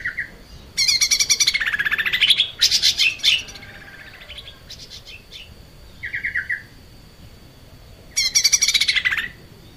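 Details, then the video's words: Lesser green leafbird in full song, used to train cage birds: loud rapid chattering phrases with sweeping buzzy trills, brief low whistles between them, then a final dense burst, over a faint constant high tone. "kicau cucak ijo mini gacor buat masteran"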